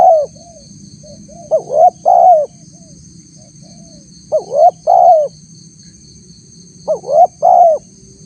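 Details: Spotted dove calling to lure wild doves: three repeated phrases roughly every two and a half seconds, each a brief rising note, a climbing coo and a longer flat coo, with a steady faint hum behind.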